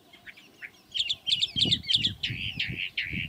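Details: Chalk-browed mockingbird singing a varied run of short notes: quick chirps, then doubled buzzy notes and drawn-out harsh phrases, over low rumbling background noise.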